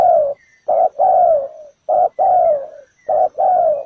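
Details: Loud, close coos from a ground decoy spotted dove luring birds to a trap: three short-long pairs, the long notes sliding slightly downward and trailing off.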